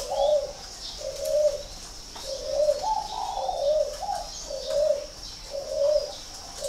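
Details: Spotted dove kept at a breeding farm near Ba Vì, Hanoi, calling a steady run of rounded, slightly rising-then-falling coos roughly every second, against a faint continuous high tone and soft ticks.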